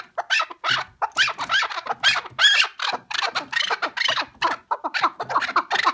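Partridge calling in harsh, chattering bursts, several each second and unevenly spaced, with overlapping squeaky notes. It sounds indoors or close by, with no other clear sounds.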